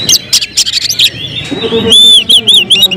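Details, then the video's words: Kacer, the oriental magpie-robin, singing as a competition prospect: clipped, loud chirps give way to a long sustained whistle, then quick repeated looping whistled notes, with a soft lower tone humming underneath. "Emosi berubah menjadi tembakan di menit menit genting, Kacer bakalan prospek lomba"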